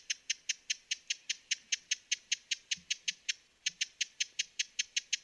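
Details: Broad-billed hummingbird giving a fast series of dry, sharp ticking chips, roughly four to five per second, with one brief pause past the midpoint; quiet background.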